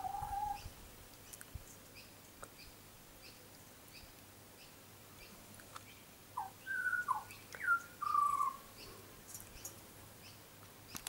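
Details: A tame young butcherbird visiting a garden gives one brief whistle, falls silent for a long stretch, then delivers a quick run of pure whistled notes that slide up and down before stopping.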